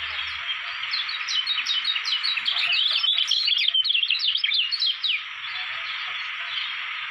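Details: Lombok white-eye, kecial kuning, a contest-prospect songbird, singing a fast, dense twittering run of high, sharply rising and falling chirps that swells in the middle and fades out, over a steady background hiss.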